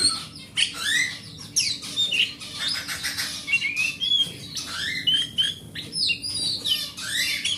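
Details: Forest-type oriental magpie-robin, a hobby bird, singing to encourage silent magpie-robins: energetic repeated whistled slurs, rising sweeps and raspy chatter delivered quickly, with sharp percussive clicks between phrases.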